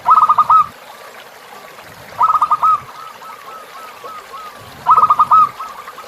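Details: Zebra dove song used as tutor recording for captive birds, set with river sounds: bursts of rapid rolling cooing notes ending in a longer coo, about every two and a half seconds, with softer distant phrases between.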